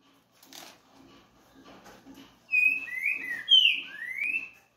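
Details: A green-winged saltator (Saltator similis, "trinca-ferro verdadeiro") sings a loud, rich phrase of slurred whistled notes, rising and falling over two seconds, after a faint low background rumble and clatter.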